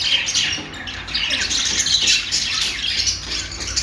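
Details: Budgerigar singing: loud, raspy squawks blended with sliding chirps in a thick, continuous warble.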